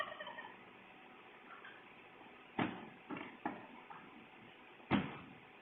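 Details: Wild turkey in a yard, strutting around and putting on a show, caught by a doorbell security camera: a harmonic rattling call at the start, then four short, harsh, broadband bursts spaced unevenly over about two and a half seconds, with a muffled, narrow-band tone.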